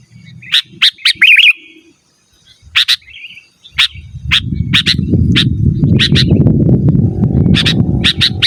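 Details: Sooty-headed bulbul calls meant to summon wild birds and serve as a master for caged ones: scattered sharp chirps and a quick warbling flourish early on, then paired chirps over a swelling low rumble.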